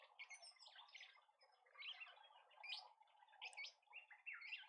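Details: Karoo Thrush in a suburban garden in Pretoria, South Africa, on a live garden camera: a busy run of short, sharp chirping notes at irregular intervals, over a steady low hum.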